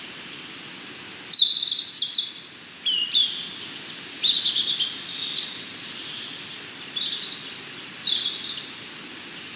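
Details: European robin singing in a wooded setting, a series of high, thin, warbling phrases with varied pitch, separated by short pauses, over a faint steady background hiss.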